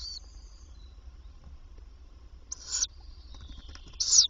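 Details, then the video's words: Tawny owl nest box during the day, 27 May 2023, female arriving to feed her young. Quiet start, then two short, loud, hoarse hissing bursts about a second and a half apart. "Bosuil vrouw komt voeren"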